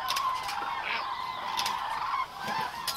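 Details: Common cranes massed at Agamon Hula in October 2012 keep up a continuous crowded bugling, loud rolling trumpet notes from many birds overlapping, briefly easing near the end before resuming.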